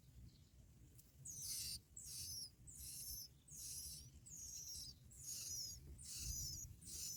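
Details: Nestling bar-winged prinias beg as both parents deliver black locusts, giving a steady run of about eight high, shrill, descending squeals in quick bursts, each with a bright overtone, over a low rumble.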